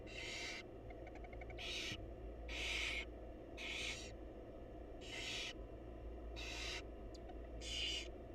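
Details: Barn owl chicks and their mother at feeding time in a wild nest box; seven loud, rough screeching hisses in quick irregular succession, nearly one per second, with faint clicks and a low hum.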